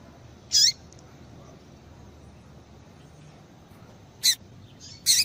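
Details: Female yellow-bellied seedeater giving calls used to excite males into song; three brief high piercing chirps, one early and two close together near the end after a long quiet gap, with faint background hiss.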